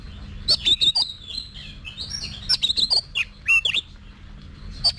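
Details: Oriental magpie-robin giving competition-style song for voice training: loud, varied whistled phrases with sharp clicks and quick slurred notes in bursts, a short pause mid-clip, over a low steady hum.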